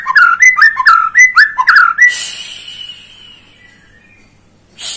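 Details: White-rumped shama song for provoking a young bird to sing: a burst of lively, slurred mid-pitched whistles with sharp high clicks, then a long fading high whistle and silence.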